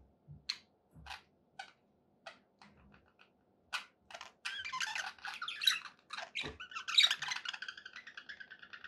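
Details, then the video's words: Budgerigars start with sparse single chirps and soft knocks, then break into a steadily louder run of warbling squawks and chatter. "1 hours of budgie sounds for pet parakeets to make tham happy"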